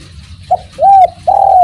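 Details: Spotted dove (derkuku) cooing: a short soft note, then two longer smooth arched coos at a mid-low pitch. Faint low rumble underneath.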